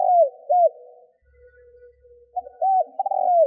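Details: Spotted dove kept as a lure bird in Vietnam, cooing to draw wild doves: fragments of low, hollow coos, a phrase cut off at the start and another rising in near the end, with a quiet gap between.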